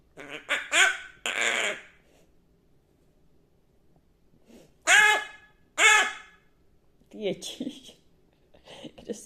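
Hooded crow making harsh, nasal caws and grating, croaking notes in irregular bursts, some almost voice-like, with quiet pauses between.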